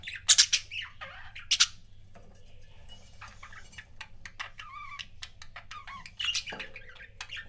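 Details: Pet budgerigar couples chattering: harsh, scratchy chirps burst out in the first two seconds, then come rapid dry clicking ticks mixed with soft warbled notes, and a louder squawky burst near the end, over a low steady hum.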